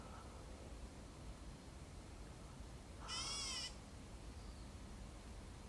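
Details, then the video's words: A Black Bulbul in Hong Kong gives a single nasal, wavering mew lasting just over half a second, over a steady low background rumble. "Black Bulbul Calling"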